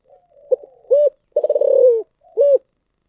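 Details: Spotted dove in thổ sấm voice giving one full phrase: soft lead-in notes, a clipped coo, a long pulsing coo that trails downward, then a single rounded closing coo; nothing else heard.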